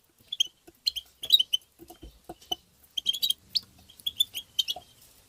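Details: Goldfinch song, excited tabtaba twittering meant to stimulate goldfinches: bright, clipped chirps in fast, irregular clusters, a few softer lower notes between, steady through the passage.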